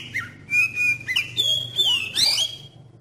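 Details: Oriental magpie-robin song used as a lure to prompt other magpie-robins to sing: clear whistled notes held steady, then sliding and twisting phrases with a higher rising whistle near the end, over a low hum.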